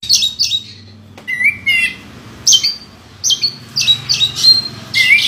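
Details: Champion contest oriental magpie-robin uttering short whistled phrases and harsh buzzy bursts, repeated about every half second in places, over a low background hum.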